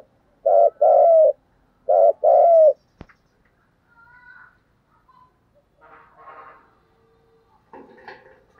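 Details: Spotted dove 'thúc gù' cooing with a 'giọng thổ' voice, used to attract wild doves. Two loud double coos come first. A click follows, then scattered soft coos and faint rustling, bird-like sounds.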